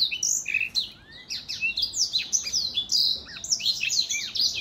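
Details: An older black-throat sings in a 2021 recording, delivering lively high-pitched twitters mixed with clear rising and falling whistled slurs in rapid succession, the phrases varied and nearly continuous.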